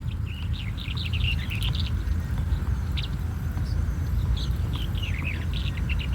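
Red-headed Bunting giving quick, high chirps and short twittering runs in irregular bursts, over a heavy low rumble of wind.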